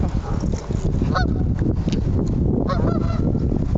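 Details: Geese in a barking-and-honking standoff with a puppy near water give a few nasal, harsh honks, two standing out clearly, over a heavy low rumble of wind or handling noise.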